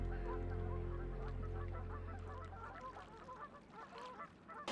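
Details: A large flock of geese across from a hide at Lunt Meadows Nature Reserve keeps up a steady overlapping chorus of short nasal honks, several per second. Sunny late-March spring morning, about 10°C, with low rumble and a man speaking.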